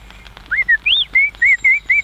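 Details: In an orchard in Quebec, Canada, in spring while trees flower and before orioles nest, an Orchard Oriole sings a quick run of about seven clear, slurred whistles, rising and falling, with a faint thin high note behind.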